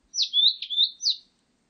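One quick, clear song phrase from a Blue-and-white flycatcher: high sweeping whistles with sharp down-slurs, four notes in just over a second. No other sounds.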